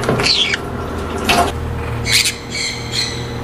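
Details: Colony-bred Monk parakeets in aviaries: a few scattered harsh, buzzy squawks separated by quieter gaps, over a steady low electrical hum.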